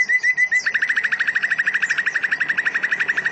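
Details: Greater green leafbird (cucak ijo) singing in a canary-like style with cililin and lovebird-style phrases delivered in dense rapid bursts; a fast, even trill of short notes near the middle pitch, about four per second, with a faint high trill behind.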